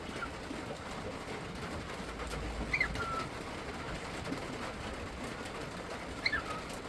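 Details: Cooper, a pearl pied cockatiel, gives two brief, sneeze-like bursts that dip into a short whistled tail, imitating an "achoo".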